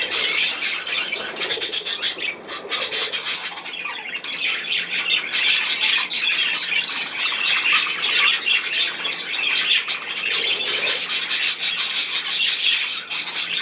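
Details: Long stretch of budgerigar flock chatter from 10 June 2024: constant scratchy squawks and bright chirps from many birds, a few brief quieter gaps between bursts.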